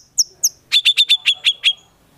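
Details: White-rumped shama singing hard with borrowed konin and kinoi song material, used to stir other shamas: two thin high notes, then seven evenly spaced buzzy, clipped notes in quick succession.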